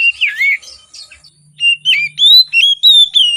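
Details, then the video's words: Oriental magpie-robin singing in the morning as a lure for reluctant singers: a swooping whistle, a short pause, then a string of clear bright whistled notes that rise and fall, roughly three each second. "Kacer Gacor Di Pagi Hari, Pancingan Kacer Sulit Bunyi dan malas Bunyi"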